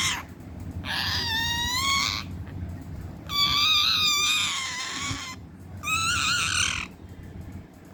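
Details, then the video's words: Angry talking parrot giving three long, loud, wavering harmonic screeches, each lasting about a second, separated by short pauses, with a low background hum throughout. "angry talking parrot"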